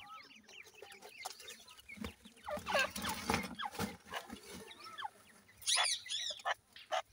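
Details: Grey francolin chicks feeding, giving short high upward-flicking peeps in loose bursts, with sharp dry clicks and taps scattered throughout and a fuller cluster of chirps near the end.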